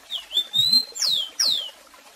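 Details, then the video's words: Rusty-collared seedeater singing the "Tico Tico do Café" song type, used for song-teaching: a long, high, clear whistle that climbs slightly, then two quick sweet notes slurring downward. "Tico Tico do Café Canto Lindo"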